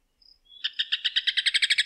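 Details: Rufous hornero (João de Barro) beginning its song: a faint thin whistle, then a steady series of bright, clipped notes repeated about eight times a second, growing steadily louder.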